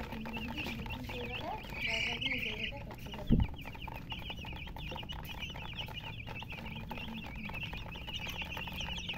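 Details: Chickens with a hen: soft low clucks early on under continuous high, thin chirps, with one sharp knock partway through and a steady low background hum.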